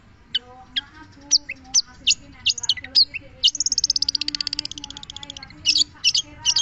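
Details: Long-tailed shrike song of scattered sharp, high chips and slurred whistles, broken by a fast, even trill lasting over a second, then more emphatic high notes, with a constant low hum beneath.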